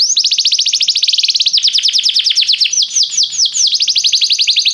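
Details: Canary singing restlessly, pouring out a rapid rolling trill of high downslurred notes that slows midway into separate swooping whistles before speeding up again.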